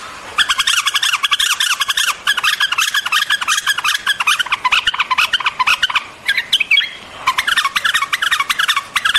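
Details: Dense, almost unbroken chatter of white-eared bulbul, quick bubbly notes pouring out with only a brief pause near the middle.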